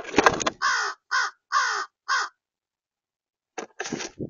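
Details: Crows cawing to chase starlings away from food, one crow having found a peanut; four harsh, loud caws come in quick succession within the first two seconds, followed by silence and then a few clattering knocks.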